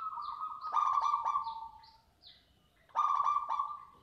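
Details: Caged zebra dove, described as bold and strong-voiced, keeps cooing despite its owner's hand in the cage. Loud, rolling, hollow coos with rapid pulsed beats, then a pause and another phrase. Thin high chirps from other birds sound in between.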